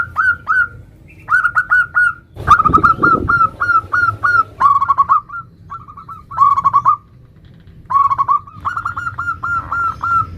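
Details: Local zebra dove singing varied "nutut" phrases as a lure for other zebra doves: short bursts of rolling coos with gaps, one brief rustling noise early on, then repeated trilled runs.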